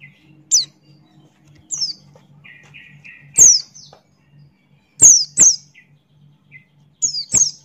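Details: Buxton's white-eye calling with sharp high down-swept notes, several in quick pairs, interspersed with short lower chirps; intermittent, irregular phrases over a quiet low hum.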